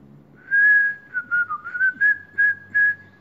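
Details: A pet cockatiel whistles the tune "Atirei o pau no gato" in clear, pure notes that dip slightly and rise again, while its owner urges it to sing.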